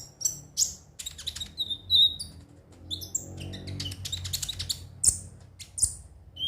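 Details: Konin song of high scratchy chirps and brief whistled notes in quick bursts, with a soft low hum and a short quieter spell midway.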